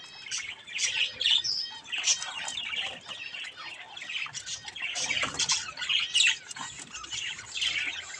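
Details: Young, colourful budgerigars playing with a mirror chatter continuously in busy, high, scratchy chirps with rapid warbled notes.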